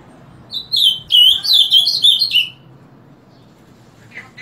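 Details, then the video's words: Ultramarine grosbeak in its morning song, sung punctually from 7 o'clock: a two-second string of sweet, rising and falling whistled notes, then near silence with a faint chirp. "Reina Mora Cantando Por Las Mañanas."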